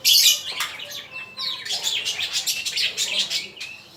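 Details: Male magpie-robin singing for bird training: a sharp opening burst, then a fast, busy run of high chirps, trills and short whistled slurs, indoors.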